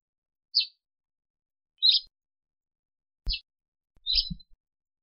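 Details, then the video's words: Sparrow in Africa calling four single high chirps spaced about a second or more apart, with a low thump under the last two notes. "Воробей. Африка. Голоса птиц"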